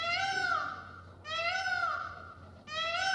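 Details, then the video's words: A peacock, displaying in a dance, gives three loud, nasal wails, each about a second long, rising then falling and repeated without pause. "peacock sound with dance"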